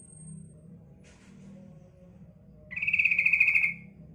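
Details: A female yellow-vented bulbul luring males gives one buzzy, rattling chatter of about a second after a quiet stretch, over a constant low hum and a thin high whine.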